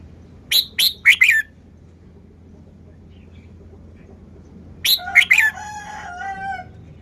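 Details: Caged red-whiskered bulbul singing two quick four-note phrases of bright, slurred whistles, the second trailing into a softer nasal, drawn-out sound.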